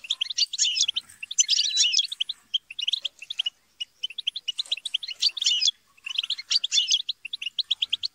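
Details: Kept European goldfinches in group chatter and squabbling meant to prompt singing: bursts of rapid, crowded tinkling twitters and buzzy notes from several birds, separated by short gaps, then a run of evenly spaced chirps.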